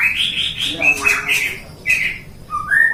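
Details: A white-rumped shama bred in captivity in Depok gives rich, clear whistles in short bursts: rolling high notes, a pause, then a pair of bright whistled phrases ending in a rising slur.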